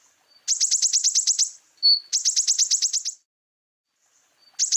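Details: Common iora song with mimicked fill-in phrases: bursts of rapid, high, sharp downslurred notes about eight to ten per burst, separated by short pauses and a brief pure whistle between them; no other sounds.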